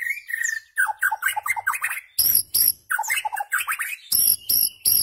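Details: White-rumped shama song used to tutor goldfinches and their hybrids for rare notes: rapid varied phrases of slurred whistles and chattering notes, alternating with sharp high repeated notes.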